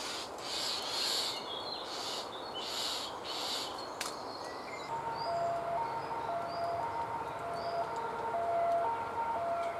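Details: Lone common starling chick in a woodpecker cavity, close to fledging, calling for food as a parent is delayed. Rasping, hissy bursts fill the first four seconds, then fade, while other birds whistle thin, steady notes nearby.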